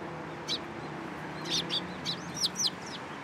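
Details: Sparrows at a Tenmangu shrine on 14 April 2023, coming onto a person's hand for food: a few short, high chirps, mostly clustered in the second half, over a low steady hum.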